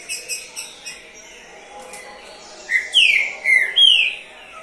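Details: A Green-winged Saltator, a third-place competition songbird, gives soft chirps, then three loud, rich whistled phrases that slur downward, each about half a second long.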